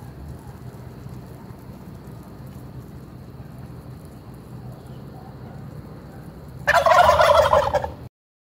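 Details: Strutting wild turkeys in a parking lot in Traverse City, Michigan. A loud, rapid, rattling gobble bursts out near the end and lasts over a second, after a stretch of low background rumble.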